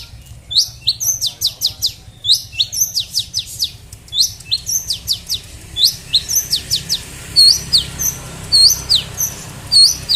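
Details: Kept long-tailed shrike singing busily: a rapid, unbroken stream of high, sharp chirps and short whistled notes, some clipped and upturned, tumbling along nearly a note per beat, with a low hum underneath.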